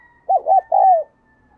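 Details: A single mellow phrase from a decoy spotted dove luring wild doves in the thúc and gáy gọi bổi styles. Two quick rounded notes lead into a long, smoothly falling coo over a faint steady hum.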